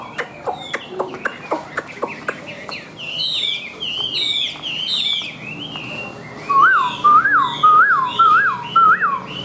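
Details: Sharp ticking notes from a caged Chinese hwamei with white wings and tail lead into looping whistled phrases, then a series of lower, rounded, rising-falling whistles repeated about every half second. The bird is praised for singing high.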